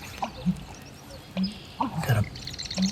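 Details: On a mid-May morning in a North Woods Wisconsin marsh, an American Bittern calling from about 15 feet away gives deep, hollow gulping notes, about four low pulses in three seconds, with a man speaking quietly nearby.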